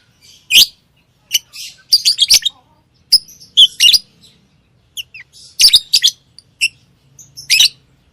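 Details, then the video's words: Lovebird singing and chirping: sharp, high chirps and squeaky twitters in irregular bursts, some clustered in quick runs, with brief quiet gaps between. "Love bird Singing and Chirping sounds|| Amazing sound of love bird"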